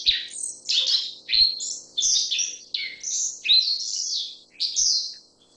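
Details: Black-faced bunting giving a quick series of short, high chirping and buzzy notes, about nine in under six seconds, each sliding in pitch, with faint low thumps beneath.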